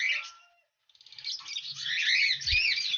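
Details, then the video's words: Breeding-colony lovebirds, housed with cockatiels in their first breeding season, give shrill, rapid chattering chirps that build after a short silence, with a faint low thump near the end. "love birds colony breeding"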